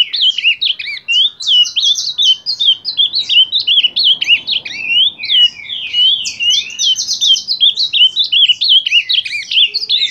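An ultramarine grosbeak sings a fast, unbroken warble of bright, high, slurred notes with rising and falling phrases; nothing else stands out.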